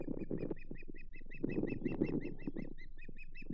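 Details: Osprey calling at its Hog Island nest during a May morning of mating and fish: evenly spaced high, squeaky chirps in a steady series, over heavy low thumping and rumbling noise.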